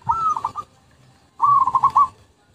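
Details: Two zebra dove phrases from a lure recording: a short rising coo with a few pulses, then a longer drawn-out trilling coo broken into rapid beats.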